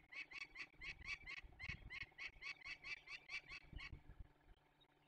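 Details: Peregrine falcon in the Barycz Valley, Poland, 27 May 2020, during the release of young birds, giving a fast run of rough, chattering kek notes that stops abruptly after four seconds.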